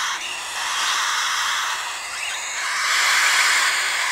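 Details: Three captive cockatiel chicks in a wooden nest, first brood of a pair that laid four eggs. A continuous rough, hissing rasp swells slightly louder toward the end with a faint tonal edge.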